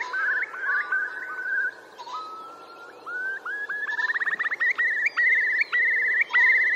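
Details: Eurasian curlew males courting at Geltsdale, late April 2021. Rising whistles speed up into a rapid bubbling trill of repeated clear notes, ending in sustained fluttering phrases, faint other birdsong behind.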